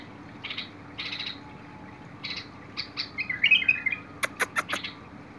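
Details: Bulbul recorded 21 August 2022: scattered short buzzy chips, then one quick warbled phrase, followed by four sharp clicking taps in fast succession.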